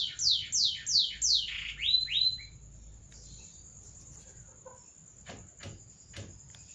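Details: A canary gives seri loper song: a few loud repeated descending whistled notes and a short trill in the first two seconds, then only a steady high whine and faint clicks.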